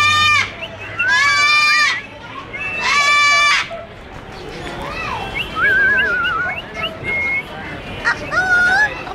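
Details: Trained pet parrot uttering loud, grating squawks in two long bursts, mixed with wavering whistled tones and shorter squawks, over a background murmur of voices.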